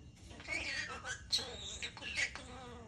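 A starling imitating human speech: a raspy, word-like babble broken by sharp whistles and clicks, in short phrases about half a second apart.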